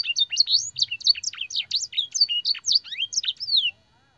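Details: Canary master song, filled with blackthroat and sanger phrases: quick varied high whistled syllables pour out for under four seconds, then the singing breaks off into near silence.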